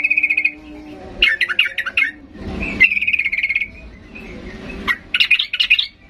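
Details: A vocal sooty-headed bulbul singing aggressively to provoke other birds to respond; short trill, chattering phrases, a sustained trilled stretch over a low rumbling noise, then more chatter.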